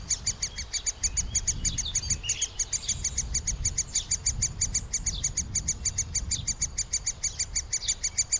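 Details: Middle spotted woodpecker chicks at the nest cavity, being fed, keep up a fast, high, rhythmic chirping about three times a second above a low rumbling background; Panasonic FZ 2000 recording.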